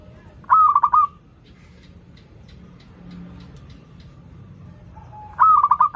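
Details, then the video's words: Zebra dove song used to teach learning birds: a short pulsed coo phrase at the start and another near the end, about five seconds apart, with faint ticking sounds between. "PERKUTUT LOKAL GACOR Suara Merdu || pancingan paling disuka perkutut yg belajar manggung"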